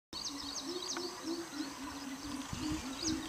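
Greater Coucal giving a steady run of deep, hollow hoots in quick succession, with thin high chirps from other birds behind.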